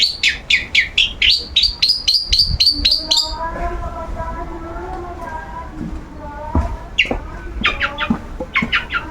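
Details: Caged long-tailed shrike in its routine sunbathing, still singing: about three seconds of rapid repeated upslurred whistles, four to five per second, then a steady low mechanical hum and a few more sharp notes.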